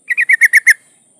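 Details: Female yellow-vented bulbul in breeding condition calling to attract a male: one quick burst of six clipped, chattering notes, evenly spaced and ending abruptly, over a faint steady high hiss.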